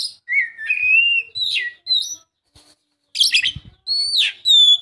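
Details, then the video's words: Rich whistled song of an Oriental magpie-robin, played to stir a silent bird: drawn-out level whistles, upward-flicking notes, a scratchy buzzy burst, then loud sweeping high whistles. "Kacer mana yang gak lasung bunyi dengar suara kacer ini"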